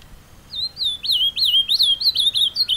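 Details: Captive ultramarine grosbeak (Cyanoloxia brissonii) taken outdoors to a scenic spot to sing its carapuça song: a quick, sweet warbled phrase of high, slurred whistles rising and falling continuously for over two seconds, against a quiet background.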